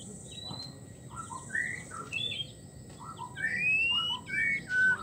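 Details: White-rumped shama female in breeding condition calling for a male: many short whistled slurs and chips jump between pitches throughout, with a long rising whistle and a high thin note near the end over steady background hiss.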